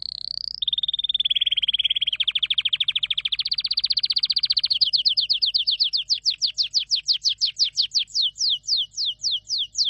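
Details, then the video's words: Singing canary delivering a long rolled trill that shifts pitch, followed by a rapid series of sharp descending whistled notes. "Canary singing"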